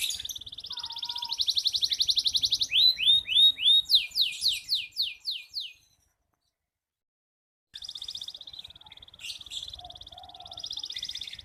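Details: Local red canary singing as a tutor for young birds: a fast buzzy trill gives way to slower downward-sweeping whistled notes, then a pause and another rapid, buzzy rolling phrase.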